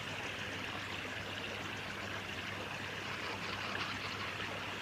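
Steady rushing of flowing stream water fills the whole recording, with no animal calls heard.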